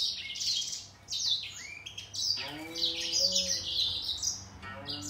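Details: Grey singer finch singing against a green singer in a song contest: dense, fast high twitters and slurred down-sweeping notes, a brief pause near one second, then lower whistled notes mixed in.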